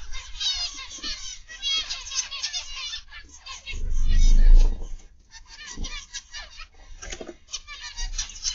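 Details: A flock of zebra finches in an aviary, 29 November 2021, afternoon, keep up overlapping nasal calls while a louder low rumbling noise swells in the middle and fades.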